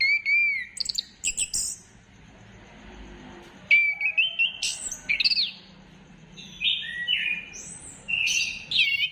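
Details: Song of an orange-headed thrush, dated 15 December 2025, offered as a bait sound to get birds singing: rising whistles and short chattering notes in bursts, with pauses between phrases.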